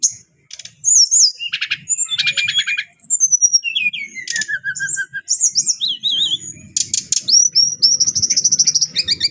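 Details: Adult kept brown-chested jungle flycatcher singing loudly: rapid bursts of sharp clicking trills alternating with clear high whistles, some slurred and wavering, others falling, in a varied continuous phrase with brief gaps.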